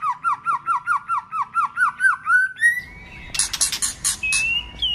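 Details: Competition song of a white-rumped shama in many voices: a fast series of identical looping whistles, a long rising glide, then harsh buzzy bursts and a high sustained note.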